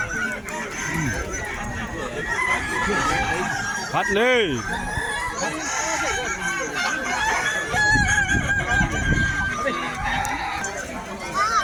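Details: At a West Sumatran crowing contest, Kukuak Balenggek roosters, a singing breed prized for long, melodious, tiered crows, call over one another. A clear arched crow stands out near four seconds above a steady background of spectator talk and laughter.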